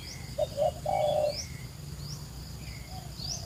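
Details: Spotted dove in a flooded rice field on a foggy morning, during decoy-bird calling: a low, hollow coo of two short notes then a longer rolling one, with thin, high small-bird chirps faintly behind.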